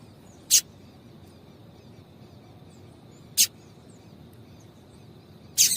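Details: Female Double-collared seedeater giving a call used to excite males to sing: three very brief, clicky high chips spread almost three seconds apart against quiet steady background noise.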